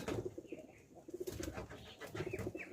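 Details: Ailing hobby pigeon giving low, soft cooing in short pulsed runs of notes, repeated in three bursts, with light room noise between them.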